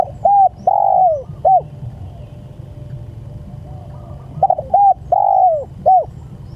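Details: Spotted dove calling to its companions: soft low coos in a short phrase, two quick notes, a longer drawn-out coo falling at the end, then a final note, with the phrase repeated after a pause.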